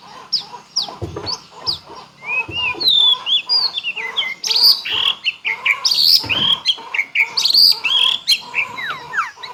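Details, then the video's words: White-rumped shama in full song, pouring out a varied stream of clear whistles, upslurs and sharp high notes. A few low thumps are heard near the start. "MURAI BATU FULL BONGKAR ISIAN"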